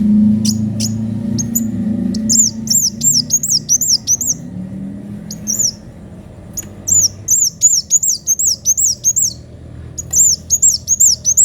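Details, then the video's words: Sunbird, called kolibri wulung, singing hard with a piercing voice: a few dry clicks, then repeated runs of high, sharp, upslurred-then-downslurred whistles at a quick, uneven pace, with low background hum. "Kolibri wulung gacor suara pedes"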